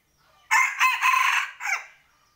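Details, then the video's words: Rooster crowing as a village bird at home, a loud harsh cock-a-doodle-doo in three joined parts with a rising start, a long held middle and a short falling tail. "Tau so nyob tsev tso qaib dib qua saib mloog ua si"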